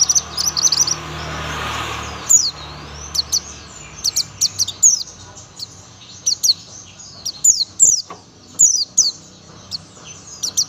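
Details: Young Oriental white-eye, buxtoni type, sings a tembakan song: fast, very high twitters opening, then many sharp downward-slurred notes repeated at irregular intervals for ten seconds over a low hum.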